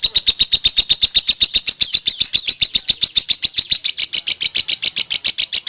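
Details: A loud, dense konslet song from a lovebird: continuous fast chirping at nearly four notes per second, shrill and regular, with the tone rising slightly over the run.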